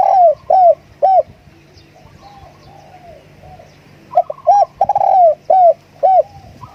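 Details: Loud hollow coos from a spotted dove kept as a decoy, each note arching up and down, delivered in evenly spaced runs at the start and after the fourth second, with quieter background calls and a low hum.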